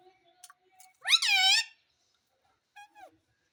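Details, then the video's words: Indian ringneck parrot that talks, saying "Mummy": one loud, raspy, rising-then-falling harmonic utterance lasting about half a second, followed by faint clicks and a short, quieter downward call near the end. "Mummy Mummy bolne wala Tota _ Parrot Talking _ Sweet Ringneck Parrot Talking"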